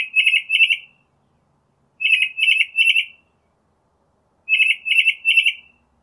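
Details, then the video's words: Northern mockingbird song built from short warbled phrases, each delivered two or three times in a row, with roughly two-second gaps between the sets. "Northern Mockingbird Song, Sound, Voice, Call, Melody - Sinsonte Canto - Mimus Polyglottos"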